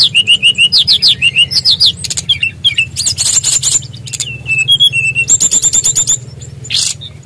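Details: {'caption': 'Loud, rolling song of a Bali Brown-chested Jungle Flycatcher: rapid repeated whistled notes, a burst of dense high trilling, steady level whistles, then a fast run of bright high notes over faint hum.'}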